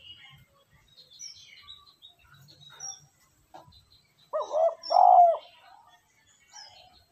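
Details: Spotted dove cooing as a lure to rouse a decoy bird: after quiet faint chirps, one low two-part hollow coo, the second note longer and louder, near the end of the stretch.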